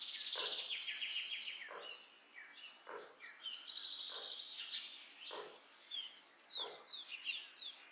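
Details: Common myna, also called Indian myna, giving busy, varied chatter: squeaky, bright notes mixed with sharp downward strokes about every 1.2 seconds, over a light outdoor background.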